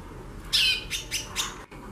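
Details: Female white-bellied seedeater singing a lot: a loud descending whistled note followed by three short, quick high chirps, over a low steady hum.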